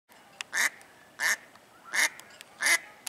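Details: A female Mallard (Anas platyrhynchos) swimming in a marina at Lakefront Promenade Park, calling noisily for unknown reason: loud, harsh raspy quacks roughly every two-thirds of a second over a quiet background.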